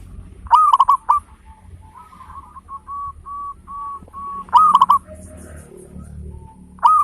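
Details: Local zebra dove in full song with a big voice and a prized beat, used to stimulate other birds to sing: loud rolling cooed phrases at about 0.5 and 4.5 seconds and again near the end, with softer sustained coos between.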